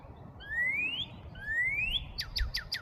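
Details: Northern cardinal in Markham, Canada, sings two long, clear upward-sliding whistles followed by four quick down-slurred chips, over a low background hum.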